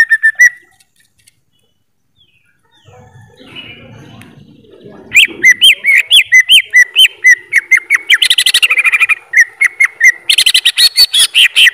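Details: Greater green leafbird: a short whistle, a quiet pause, then a lively stream of sharp whistled notes, many rising then dropping, mixed with clicky chips at several per second.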